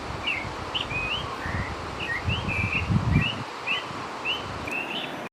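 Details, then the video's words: A northern oriole sings a run of clear whistled notes, many slurring up or down, spaced about half a second apart. Low rumbling noise, possibly wind, sits beneath the song. "El Turpial Norteño"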